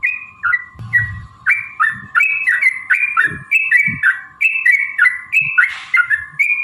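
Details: Lure song of a yellow-vented bulbul in the long 'ropel' style: bubbly paired whistles falling and rising, repeated about twice a second, over a steady hum, with a soft knock near the start.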